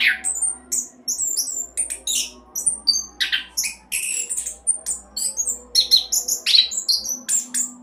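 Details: Orange-headed thrush in fast 'roll' delivery, used to coax other birds into song: a continuous jumble of high chirps, squeaks and whistled fragments, slightly quieter, over a soft low hum.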